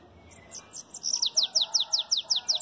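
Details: Bananaquit kept by its owner, singing the belga chapado style: a soft start of faint high notes builds into a fast, evenly spaced string of about a dozen sharp, high, downslurred buzzy notes.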